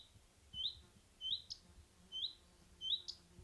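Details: A Common Redstart singing in rural France gives short, rising whistled notes about every three quarters of a second, some followed by a brief higher note, over a faint low rumble.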